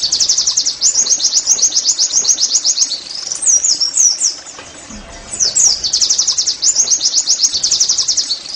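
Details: Oriental white-eye in the rapid 'nembak' song style, used to help other white-eyes sing readily. Very high, thin notes in fast chattering runs, a brief break with looser twittering phrases midway, then the quick rattling series returns.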